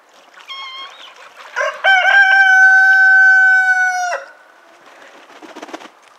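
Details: A rooster on a farm kept with chickens, guinea hens, geese and a duck gives a few short rising notes, then one long, steady, ringing cock-a-doodle-doo held about two seconds before breaking off; soft rustling follows.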